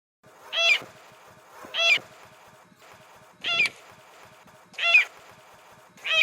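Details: Spotted rail (Pardirallus maculatus), song.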